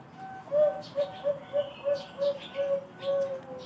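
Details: Bangkok-type zebra dove, prized for a special, full, thick voice, giving a series of about eight soft, evenly paced rounded coos with slightly longer final notes, while faint high chirps from other birds sound in the background.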